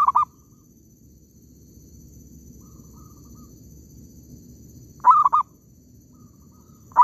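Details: Mellow stuttering coo phrases from a zebra dove at an oil palm plantation trapping site, three phrases separated by a long pause of about five seconds, each a quick run of soft notes, over low steady background noise.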